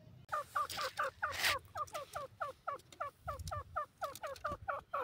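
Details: Grey francolin (teetar) chicks, newly hatched and playing in a forest in their first days: a rapid, steady run of paired, clipped cheeping notes, roughly two or three per second, with a brief rustling burst early on.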